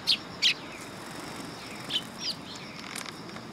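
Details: Sparrows landing on a perch platform at a Tenmangu shrine on 3 September 2022; two sharp high chirps open, then softer scattered chirps over a faint steady hiss.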